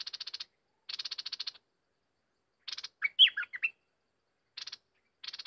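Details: Wild bulbul lured by a decoy: bursts of dry, rapid rattling alternate with one short, bubbling, chattering phrase in the middle, with silence between the bursts.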